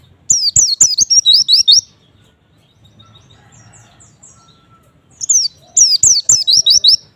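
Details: White-eye song used to provoke other white-eyes: rapid bursts of high, sharp descending chirps in two phrases separated by a pause of about three seconds, with faint low background noise.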